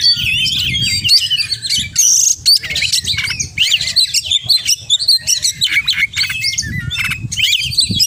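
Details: Oriental magpie-robin in continuous mimicry-laden song: busy chattering notes, bright whistled slurs and a brief harsh buzz, with low background hum.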